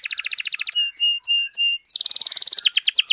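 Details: Singing canary, a persistent long song meant for tutoring and prompting other canaries: a fast rattling trill, three short flat whistled notes with brief gaps, then a bright rapid trill of high repeated notes.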